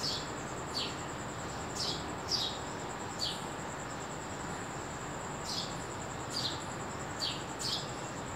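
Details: Early-morning sparrow calling with brief bright chirps, some in quick pairs, nine or so scattered unevenly with a short pause midway, over a constant thin high whine and soft background hiss.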